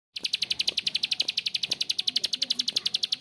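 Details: Bar-winged prinia giving a long, rough ngebren call: a steady series of sharp high clicks, close to four per second, running unbroken for about three seconds.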